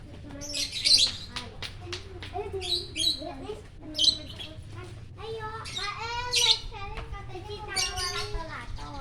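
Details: Champion lovebird at Parahyangan Village, Bandung, singing in the morning sun; chattering squeaks and wavering whistled notes, with sharp shrill screeches at regular intervals.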